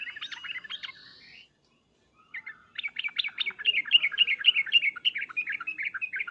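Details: Sooty-headed bulbul in emotional calling: a quick chattering phrase, a short silence, then a long, fast, bubbling chatter of bright, varied notes that holds steady to the end.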